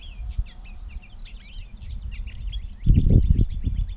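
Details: Catbird in Bowdoinham, Maine, on 16 May 2020: a rapid jumble of varied chirps and squeaky notes at mid to high pitch, with low rumbling noise and a loud thump near the end.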